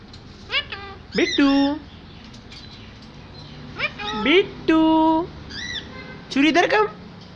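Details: Little parrot imitating speech with nasal, stretched syllables and rising slurs, one long steady tone near the middle, grouped in irregular bursts across seven seconds.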